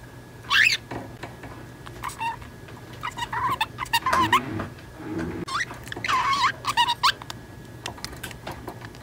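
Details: Talking ten-month-old female budgerigar kept as a pet, copying another budgie's speech; a continuous run of buzzy, speech-like warbles and clicks rising and falling, with brief gaps between phrases.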